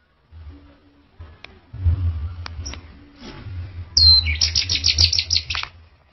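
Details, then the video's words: Orange-headed thrush song: after a quiet start over a steady low hum, a sharp whistle leads into a fast, even run of bright high notes that ends abruptly. "Suara Burung ANIS Merah"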